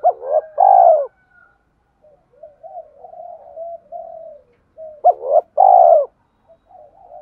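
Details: Spotted dove in "thúc" style cooing, a recording to make a decoy bird coo: a loud burst of short stuttering notes ending in a long throaty coo, a quiet stretch of soft murmurs, then the loud phrase again.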